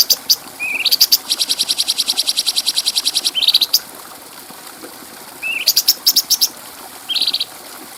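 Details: Bulbul singing, recorded as a clear tutor track for other birds. A long, even rattle of quick high ticks runs for over two seconds between short upward-slurred whistles and brief chattering bursts.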